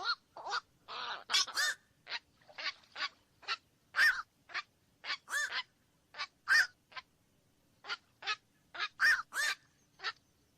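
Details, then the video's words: Steady series of short, hoarse croaks from black-crowned night herons, roughly two dozen a minute, loud and irregular, with some calls crowding together early on. "SUARA BURUNG KOAK MALAM"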